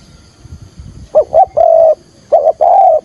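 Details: Spotted dove calling to lure wild doves for trapping, 'thúc gù' style: two phrases of deep coos, a short note, a quavering note, then a drawn-out steady hoot, over low background rumble.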